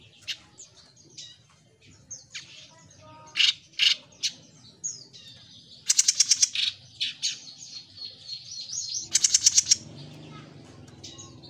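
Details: Jenggot mini singing energetically, mixing scattered high chirps and short whistled notes with two fast bursts of sharp repeated ticks, faint low background hum throughout.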